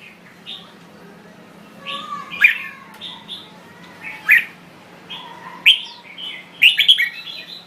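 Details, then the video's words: A Thai red-whiskered bulbul sings short bright whistled phrases, loud and chirpy, every second or two, over a steady low hum. "Chào Mào Thái Lan Hót Cực Hay"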